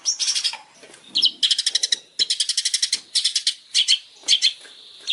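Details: Long-tailed shrike master song for training, a champion bird: bursts of rapid, buzzy high chattering trills, repeated in short pulsed phrases with brief pauses and a few whistled slurred notes between them.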